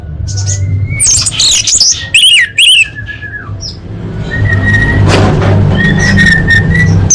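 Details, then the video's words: Full-fill song of an orange-headed thrush for training competition birds: loud, dense bursts of rapid warbled and looping notes in the first three seconds, then thin sustained whistles over a continuous low hum. "Masteran Anis Merah Full Isian untuk Lomba Besar & Latber Elite"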